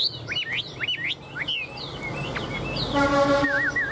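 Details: Tame caged Chinese hwamei in Vietnam, displaying its wings and tail, sings rapid swooping whistles. A steady horn-like tone sounds in the last second, with a wavering whistled note over it.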